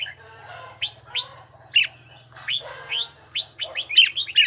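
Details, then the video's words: Red-whiskered bulbul practising its bell-toned voice, giving separate sharp, rising whistled notes spaced roughly every half second, quickening into a cluster of clear chirps at the end. "Chào mào luyện giọng hay nhất ||Nghe mãi không chán|| Tông giọng chuông đều chuẩn đúng nhịpnhất"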